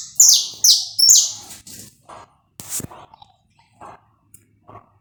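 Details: Saffron finch recorded live without cuts, song played to warm up the bird: a run of loud, high, descending buzzy notes repeated about every half second, then fainter scattered clicks and short low notes.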